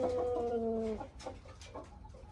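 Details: Six-month-old Aseel rooster utters one sustained, slightly falling crow lasting about a second, followed by quiet clicks and faint background sounds.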